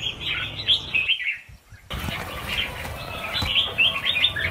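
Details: Massed red-whiskered bulbuls during a release of about a thousand birds: bright chattering chirps, a sudden brief near-silent gap, then the overlapping whistled calls resume with soft wing flutters.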